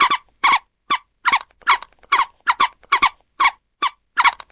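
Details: Scarlet ibis giving harsh, nasal squeaky calls in quick succession, each a short broadband burst, repeated roughly twice per second with uneven spacing; no other sounds.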